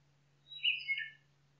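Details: Short nightingale song burst in a forest, a thin high whistle opening into a loud, rich cluster of warbled tones that drops slightly in pitch, over in well under a second.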